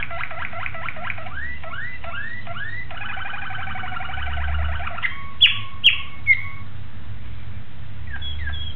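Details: Malinois Waterslager canary recorded on 26 October 2012 sings rapid rising looped notes, then a long even rattling roll, then a few loud, clipped falling whistles spaced about half a second apart.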